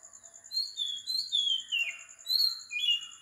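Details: Oriental magpie-robin singing at 4 am in Sri Lanka: clear whistled phrases, some sliding downward and others rising, delivered in quick succession, over a steady high pulsing insect trill.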